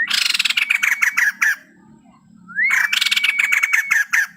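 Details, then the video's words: White-crested laughingthrush, a male, delivering two long, loud rattling chatter phrases, the second opening with a clear upslurred whistle; a quiet gap between them and a low background hum. "burung poksay jambul putih gacor full isian"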